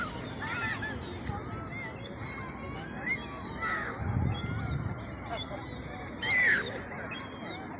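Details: A Herring gull chick, about 4–6 weeks old, begs unheeded on the Eastbourne seafront, UK, at 4 pm on 12 August 2021: thin, squeaky piping whistles that rise and fall in quick bursts over a low rumble of wind.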